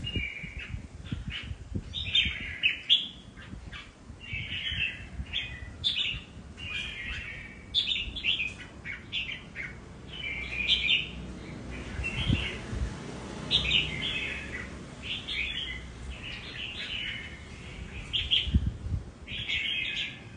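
A red-whiskered bulbul sings short, bright warbled phrases over and over, with a low rumble underneath.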